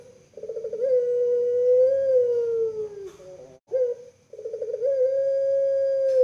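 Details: {'caption': 'Puter pelung collared dove, kept in Java, Indonesia, delivers a rolling gurgle leading into a long, even coo that falls at the end. A short note follows, then another sustained coo begins.'}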